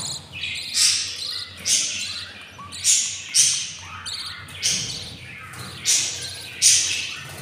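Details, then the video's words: Albino lovebird nestlings at day fifteen, four of them, beg hungrily with sharp, buzzy squawks repeated about every second in an even rhythm, with a faint hum behind. "hatching 04 albino lovebirds eggs and they are very hungry"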